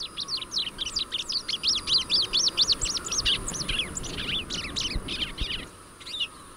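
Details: Rusty-collared seedeater (Sporophila collaris), song.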